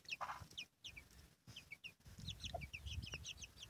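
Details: Chicks peep beside their mother hen, bursts of high, downward-sliding cheeps broken by brief pauses, with one low cluck and a rumbling, shuffling background.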